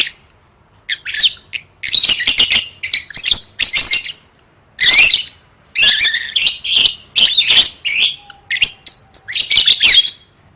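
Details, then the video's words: Lovebird for gantang contest training, gacor style: long stretches of loud, harsh, scratchy chatter broken by brief gaps, with squawky notes and a short thin tone toward the end. "Suara Burung Lovebird III Latihan Gacor Gantang Siap Juara"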